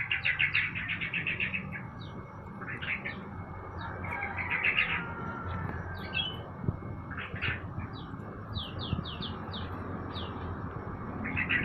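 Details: Yellow-vented bulbul, a caged bird set out in the sun in the morning, giving bursts of quick, bubbly chirped notes in short rattling series, repeated irregularly over a low hum of background noise.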